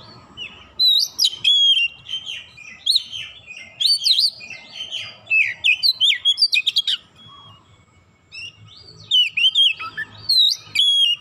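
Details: Lure song of an Oriental magpie-robin meant to make other birds sing: long runs of loud, richly varied whistled phrases mixing sweeping slurs, high squeaks and quick repeated chips, broken by brief pauses, over a clean, quiet background.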